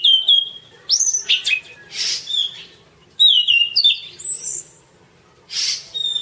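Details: Orange-banded thrush, locally anis cendana, singing as masteran: whistled notes sliding down, followed by higher swept notes, with raspy breathy bursts between the two phrases.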